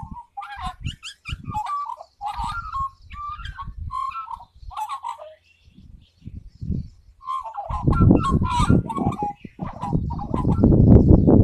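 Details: A magpie singing solo: a varied warbling run of fluted, yodelling notes with quick pitch jumps, pausing midway and then resuming. Loud low thumping and rumbling noise join in over the last few seconds.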